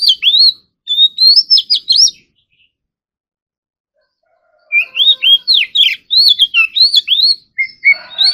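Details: Oriental magpie-robin singing in competition style during morning practice: two energetic runs of rapid, sharply rising and falling whistles, the second longer and denser, separated by a silent break.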